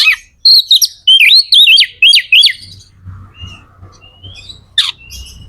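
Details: Magpie-robin (kacer), a kept bird in full song, used to stimulate other magpie-robins to sing: loud whistled phrases with rapid up-and-down sweeping notes, then a fainter long whistle and a sharp harsh note, low hum beneath.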